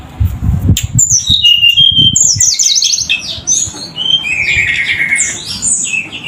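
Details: Javan sunbird in fast song: high sweeping chirps and rapid trilled notes, then a longer buzzy level trill, with low thumping noises at the start.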